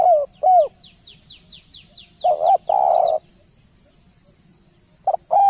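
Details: Spotted dove in lively song gives soft, low, hollow cooing notes, one long and buzzy, while a small bird repeats thin rising chirps in the background over a steady low hum.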